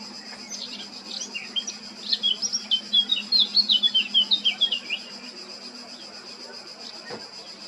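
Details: Male Eurasian blackcap singing at Baška on Krk island, Croatia, on 20 July 2022: after a quiet start, a rapid run of high, scratchy warbled notes builds for about three seconds, then fades. A steady background hum runs throughout.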